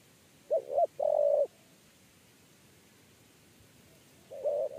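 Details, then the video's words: Spotted dove, 'kuk 3' three-note coo style, heard while the wild bird ran after the lure and entered a trap cage. One full low phrase of two brief notes and a drawn-out coo, then a pause and the next phrase beginning. "TEKUKUR KUK 3"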